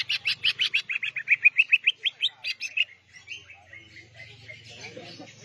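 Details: Greater green leafbird singing in lively, full-volume style: a quick run of chirping notes repeated about four per second for three seconds, then softer scattered notes and faint background rustle.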